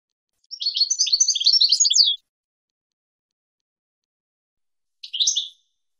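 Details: European goldfinch, 2022 season, recorded as a teaching song for young birds: a dense, scratchy, jumbled twittering phrase of about one and a half seconds, then silence and one short rising chirp.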